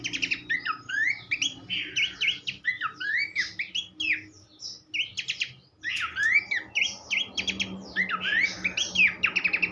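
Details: Tutor song of Horsfield's babbler for training songbirds: rapid varied whistles and chattering notes, with a brief lull near the middle before the phrases resume at full pace.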